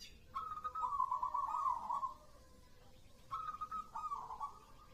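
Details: Local zebra dove (perkutut) singing: two soft cooing phrases near one kilohertz, each starting with a level note and running into a rolling, bubbling trill, separated by a short quiet gap.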